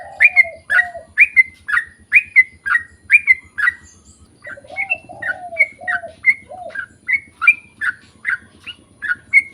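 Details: Sooty-headed bulbul's long rapid song, used to draw others into singing: a dense run of whistled falling notes, then a looser run, with low cooing phrases and a soft low buzzing in the first half.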